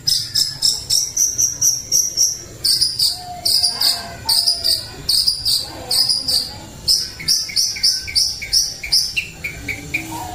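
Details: Long-tailed shrike, macan style, gives rapid high buzzy notes in bursts with brief pauses, mixed with occasional lower whistled phrases.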